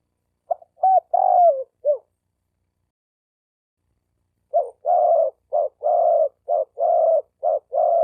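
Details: Male spotted dove calling for females, recorded 2020. A slurred phrase with a falling long coo comes first. After a pause, a fast run of alternating short and long mellow coos follows.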